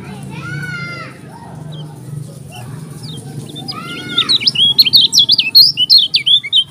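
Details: Lombok yellow-crowned bulbul, likely caged, singing a fast run of loud, warbling whistled notes after about four seconds, preceded by fainter, lower, arched whistles from other birds and a low background hum.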